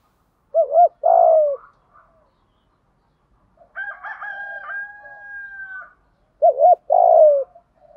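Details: Spotted doves, both sexes, used to stir trained doves into calling: paired low hollow coos with a purring drawn-out note at the start and end, and softer whistled tones in between.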